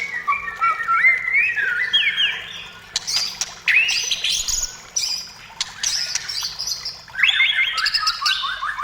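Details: White-rumped shama delivering clear rising whistled phrases separated by short pauses, with sharp clicks and harsher buzzy notes between them.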